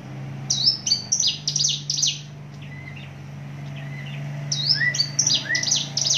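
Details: Javan bush lark, a bird native to Java noted for its volume and speed, singing in two fast bursts of high, sweeping whistled notes, with softer lower whistles between and a steady low hum behind.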